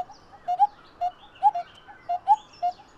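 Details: Coppersmith barbet pair giving soft hollow tonk notes, often in quick doublets, over a bed of distant high bird chatter and faint background hiss.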